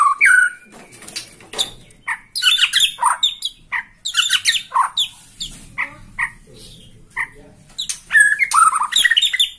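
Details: Excited Borneo-type white-rumped shama, responding to a rival, delivers a rapid mix of sharp chips, whistled slurs and scratchy notes in irregular bursts.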